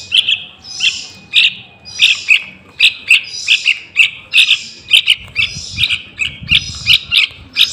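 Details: Dense, excited chirping of a young Yellow-vented Bulbul, played to lure wild birds for capture; scratchy bursts and sharp chirps follow each other almost continuously, with some low rumbling noise later.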